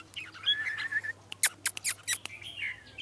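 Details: Red-whiskered bulbul singing a brief warbled phrase of slurred, fluty notes, broken by several sharp clicks, then a second phrase near the end, over a faint low hum.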